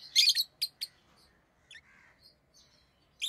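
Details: Tame pet rosy-faced lovebirds, orange-faced green and red-headed green, chirping: a burst of harsh, high chirps, then two short sharp chips and a few softer, fainter squeaks, with another shrill burst at the end.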